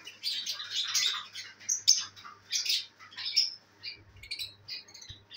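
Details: Pet lovebirds, including albino red-eyed birds, enjoying the day, dated 5/09/23: bright, high chirps and short squawks in irregular bursts, roughly once a second, with a faint low hum underneath.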